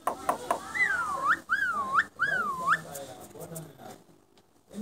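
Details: Asian pied starling, a contest champion, giving three clear S-shaped whistles that dip then rise, each about half a second, repeated with short gaps over a background of room noise and faint voices.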